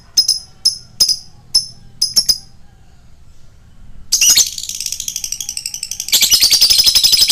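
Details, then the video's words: Lovebird lure recording for fighter birds: a few sharp, high chirps spaced irregularly, a short pause, then a long, dense, harsh buzzing chatter of fast, rasping pulses that grows louder toward the end. "Pancingan love bird fighter"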